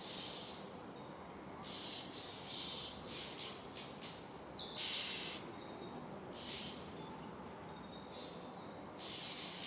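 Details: Oriental magpie-robin screaming at night: rasping hissy bursts of about half a second, some louder, with a few thin high whistled notes in between over steady background hiss.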